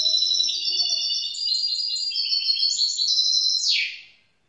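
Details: Young grey-blue goldfinch mule (hybrid) singing a fast run of high, tinkling, twittered phrases that shift pitch step by step, ending in a short buzzy downward slur.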